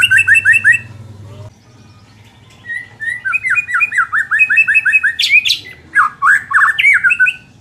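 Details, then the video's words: White-rumped shama song, played to make a less aggressive bird more competitive: an opening burst of repeated notes, a quiet gap over low hum, then long fast runs of whistled notes and sharp high sweeps. "suara ini dapat mengatasi murai batu kurang ngotot"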